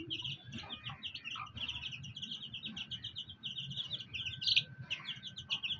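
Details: Many fighter chicks beside a black hen give dense, rapid high-pitched peeps without pause, with a few lower notes and a low steady rumble in the background.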